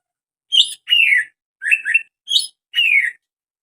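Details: Greater green leafbird making a strange sound: five short, sharp chirps, some slurred downward and some doubled, spaced with brief pauses over about three seconds in quiet surroundings.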